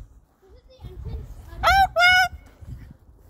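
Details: Talkative pet Moluccan cockatoo outdoors on a walk to the park, giving two loud, harsh, harmonic squawks in quick succession after quieter murmured sounds, with faint low rumble behind.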